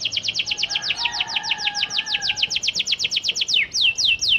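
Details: Panda canary song used to prompt other canaries to answer: a long, rapid, even series of sharp, high descending chips over a faint lower whistle, ending in a few slower, broader downward sweeps.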